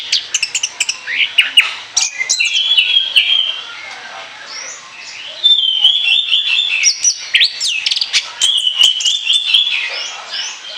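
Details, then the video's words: Orange-headed thrush in extended ngoceh ngeplong song used as a lure. Opening burst of rapid chips, then long, level warbled phrases alternating with flurries of sharp notes over about eleven seconds. "ANIS KEMBANG NGOCEH NGEPLOOONG"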